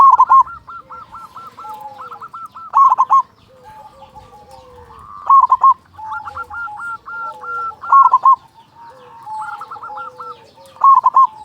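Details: Strong-voiced local zebra dove singing steadily as a lure to stir other doves into song; loud throaty coo bursts recur every two to three seconds between runs of softer, evenly spaced hooked notes.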